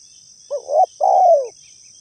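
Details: Spotted dove trapping-lure call: one phrase of a rising, wavering coo, then a longer coo that slides downward, with a steady high whine throughout.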